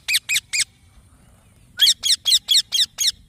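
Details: Young green parrot giving three scratchy high chirps, a second of silence, then a steady series of six rasping chirps at about four per second.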